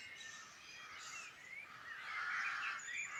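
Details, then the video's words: Birds in the Irish Midlands give blurred, overlapping chirps and short slurred whistles, becoming louder and denser toward the end over steady background noise. "Beautiful birdsong in Ireland Midland"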